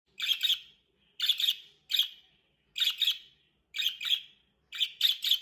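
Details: Hand-tame budgerigar gives short, scratchy chirps in quick pairs, repeated about once a second.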